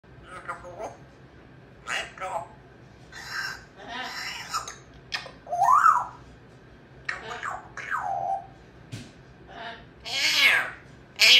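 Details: An African grey parrot's "baby talk": short, speech-like babbling bursts mixed with squeaky whistled notes.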